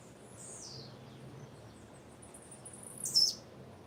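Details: Female blue-black grassquit: a soft, high falling note at the start, then one sharp, loud, thin chirp toward the end, with low hiss throughout.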